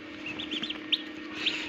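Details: Newly hatching turkey poults inside an incubator at a Darrang, Assam turkey farm. They give several shrill, short peeps in quick succession, with a bright note near the end. An incubator hum drones steadily underneath.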